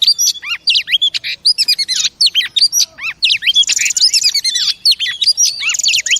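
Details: Female oriental magpie-robin singing a loud, varied song of sharp whistled notes, quick upward and downward slurs and short chattering bursts, delivered in rapid irregular phrases, used to stimulate caged male birds.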